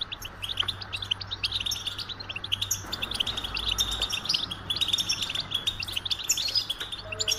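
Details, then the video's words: A goldfinch sings an unbroken stream of high, tinkling, buzzy twitters, quick notes tumbling one after another, over a faint low hum in the background. "Experience the Goldfinch Singing"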